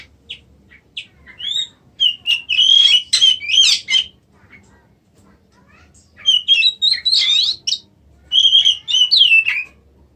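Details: Oriental magpie-robin (kacer) kept as a caged songbird sings in bursts of loud, varied whistles and scratchy chattering phrases, each lasting one to two seconds and separated by quiet gaps.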